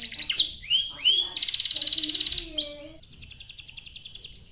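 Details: Canary singing a long, lively song used as a lure to prompt other canaries to sing: rising whistled notes, then a dense buzzy trill, a few sweeping whistles, and a fast rolling trill at the end.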